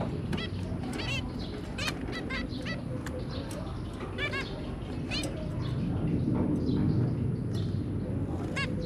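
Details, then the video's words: Zebra finches, a pair kept with their three babies, recorded 23 January 2022: short nasal harmonic beeps in scattered bursts over a steady low rumbling background hum. "Zebra Finch"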